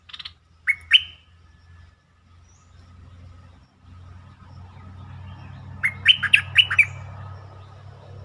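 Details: Bulbul (merbah lekir) song played to excite birds, as a lure call: two loud, rich whistled notes, then a quick bubbly burst of five or six liquid phrases over a low steady hum.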